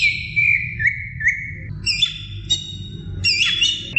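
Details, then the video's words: Female greater green leafbird calling a male: steady whistled notes sliding slightly downward, then higher ringing notes with upward flicks, over a low background rumble. "Suara Cucak Ijo Betina Memanggil Jantan"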